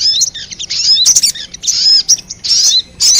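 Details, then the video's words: Sogon calling as a lure for wild birds: short bursts of high, harsh chatter and thin whistled notes, separated by brief quiet gaps, about five phrases. "Suara pikat burung sogon 💯% bikin sogon liar berdatangan"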